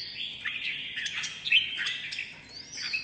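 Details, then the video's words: Red-whiskered bulbul in competitive singing, a mutant-plumaged bird: continuous warbled phrases of clear whistled notes with quick upward and downward slides, dense and unbroken throughout, rising to a louder note near the middle. "Chào Mào Đột Biến Hót Đấu Cực Hay"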